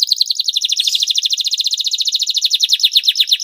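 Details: Canary song used to stimulate reluctant canaries to sing: a loud, clear, rapid trill of high notes repeated many times a second, holding steady and then slightly falling in pitch.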